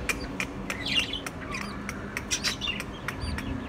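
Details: Ten-day-old chicks giving short, high, falling peeps at irregular intervals, mixed with sharp clicks and taps and a constant low hum underneath.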